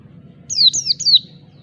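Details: A brief phrase of three high, sweeping, descending whistles from an Oriental white-eye in its ngalas wild-type song, meant to provoke rivals.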